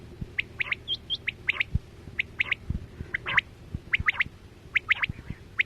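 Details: Lure sound for quail hunting with nets, 2024-25: a steady stream of short, sharp chirps, often in pairs or threes, roughly seventy groups a minute, over a low background hum.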